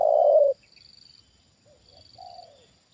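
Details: Captive trained spotted dove responding to a wild bird lured down: the end of a long, low, falling coo, then after a pause a softer distant two-part coo, over a constant high-pitched background hum.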